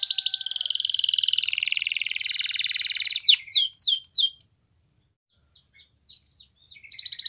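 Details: Spanish Timbrado canary delivering a long, fast, metallic rolling trill for about three seconds, then a few sharp sweeping notes, a brief pause, and the song resuming with high quick notes.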